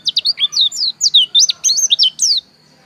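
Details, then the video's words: Dakun-type Javan white-eye from Pupuan in Bali delivering a rapid burst of sharp, bright twittering notes, each sliding down in pitch, running for about two and a half seconds before stopping. "Suara Pleci Dakun Bali Pupuan"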